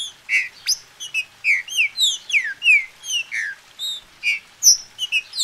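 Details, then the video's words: A captive-bred Brazilian green-winged saltator, recorded for warming up a bird to sing: fast, bright chirped whistles, mostly short downward slurs, packed closely together with little pause. "Esquente seu trinca"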